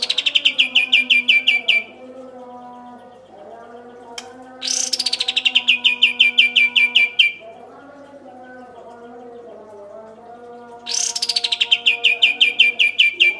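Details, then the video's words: Three bursts of kapas tembak song, used as training audio for songbirds: each starts with a high rising sweep and runs into a long rattling series of rapid clipped notes. Soft low tonal sounds fill the pauses. "Kapas Tembak Gacor Full Ngeroll Panjang"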